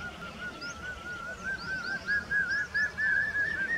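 A Common hawk-cuckoo gives a shrill, wavering run of quick notes that climbs steadily in pitch, with faint high chirps from other birds behind.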